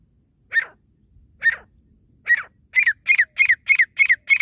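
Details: Partridge calls used to lure partridges for catching: three spaced harsh notes, then a fast run of clipped, double-pulsed notes repeated about three times a second, with a quiet background.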